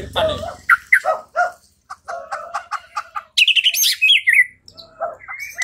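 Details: White-rumped shama singing, played as a lure to make another shama fight and sing: rich, varied phrases mixing mellow whistles, quick chips and harsh buzzy notes, with a burst of high rapid trilling.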